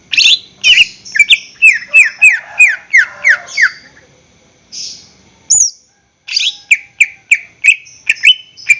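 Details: Greater green leafbird singing in a cage, full song played to draw other caged birds into singing: a series of downslurred whistles repeated about once a second, a brief pause, then sharp rising notes and more regular slurred whistles.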